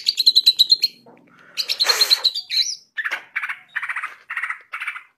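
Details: Greater green leafbird singing vigorously in the 'ngentrok' style as a training reference for other birds: rapid high chattering notes, a loud buzzy burst, then a string of short rattling phrases repeated about every half second.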